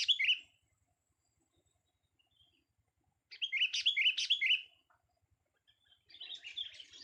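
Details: Vocal test of a young sooty-headed bulbul: three bursts of lively, chattering whistled notes, the middle one longest at over a second, separated by quiet gaps.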